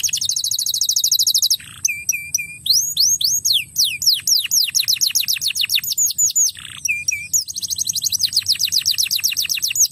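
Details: Crested canary singing, used to prompt young canaries to sing: a fast buzzy trill, a brief low rasp, then a run of high whistled notes that arc up and slide down, ending in another rapid trill.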